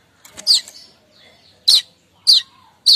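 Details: Kemrecek chattering of a streaked weaver in the morning, used to lure weavers: four sharp, buzzy chips, each about half a second apart, with softer twittering between the first two.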